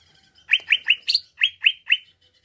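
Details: Greater green leafbird song used to excite another leafbird. A quick burst of about seven loud rising whistled chirps comes at an even pace, with one buzzier note in the middle, over a very faint low background hum.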